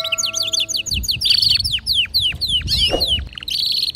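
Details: Household canaries, a female calling for mating while a male sings: rapid series of downward-sweeping whistled notes, then a quick rolling trill and a short buzzy burst, with faint low background rumble.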